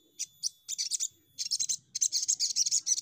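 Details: Sogon played as a lure to set other birds singing quickly: dense bursts of high, sharp chirps in rapid clusters, pausing briefly between runs, with faint low rumble underneath.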